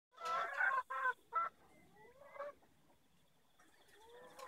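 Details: Hens on a farm in Melbourne on 20 February 2016 come out to feed in the morning. Three quick bursts of harmonic, nasal clucks are followed by softer drawn-out rising calls and a faint squawk near the end.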